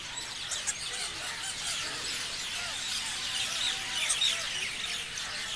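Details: Parrots chirping as a flock, a dense wash of short high squeaky chirps and chatter overlapping steadily, with faint bright notes standing out near the end.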